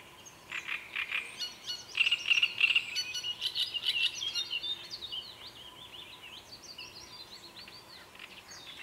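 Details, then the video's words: Great reed warbler song: loud, harsh, croaking notes repeated rapidly in the first half, then softer, varied chattering and grating phrases. "Drosselrohrsänger Gesang"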